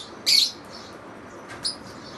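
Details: Lovebirds with one loud piercing squawk followed by a softer short chirp about a second later, against a constant low hiss.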